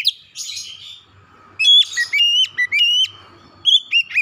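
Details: Kacer (Oriental magpie-robin) singing to stir a quiet house bird. Soft chattering opens, then after a brief lull come bold whistled phrases with upward and downward slurs, ending in a sharp ringing burst.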